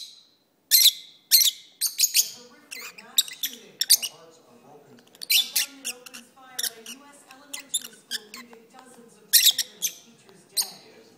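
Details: Indoor pet lovebirds singing on an arm during a long session: scattered sharp chirps and squeaks, some loud clicks, over a steady soft low chattering.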